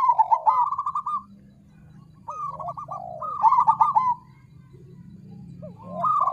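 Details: Crossbred zebra dove (perkutut krosing) singing to lure other birds into song: two trilled coo phrases with arched hoots, separated by a quiet gap with a low steady hum, then a new phrase beginning.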